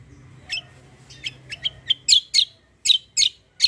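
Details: Black-winged myna in fighting-style rolling song, vigorous delivery: a rising series of sharp, high chirps, growing louder and quicker toward the end, over a low background hum.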